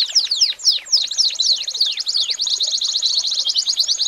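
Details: American singer canary tutor song for training young birds: a few high descending slurred whistles, then a long, fast rattling trill of repeated sweeping notes that goes on without pause.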